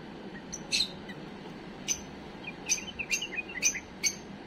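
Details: Tame bulbul giving error-free song meant for tutoring young birds: scattered short chirps, then a quick run of warbled notes near the end, over a quiet steady hiss.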